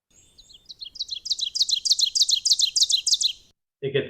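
Ovenbird song: a fast, level series of sharp, high two-note phrases that swells steadily louder toward the end. A brief voice follows.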